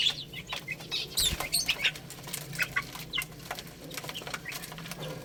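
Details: Chicks feeding and playing give scattered, thin, high peeps among rustling and pecking noises, with a soft bump near the middle.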